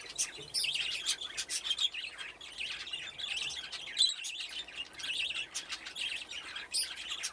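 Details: Budgerigars in an aviary with nest boxes, a colony grown from two pairs; steady warbling chatter of many birds, with squeaky rising and falling notes running without pause.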